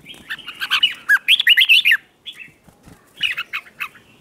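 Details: Red-whiskered bulbul giving training song to provoke rivals into contest singing: a long, dense run of rapid, loud warbling notes for two seconds, then a pause and a softer burst of shorter chattering phrases.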